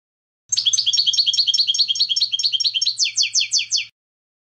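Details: Clean contest-style song of a European goldfinch, for teaching young birds: steady run of quick twittering syllables followed by five slower, buzzy descending notes; faint low hum in background.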